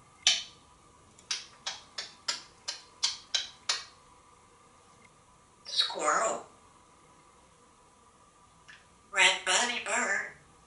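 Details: Pet male African grey parrot, a talking bird kept at home in Texas, playing in his multi-tiered condo: a run of about nine sharp, dry clicks spaced roughly every half second, then two short, chattering talk-like bursts after a pause.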